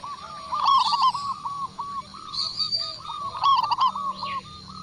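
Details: Local zebra dove from Indonesia, described as a loud, lively singer, used as a lure to prompt other doves to answer. Mid-pitched cooing notes run in quick staccato series, with brief higher chirps and faint background noise.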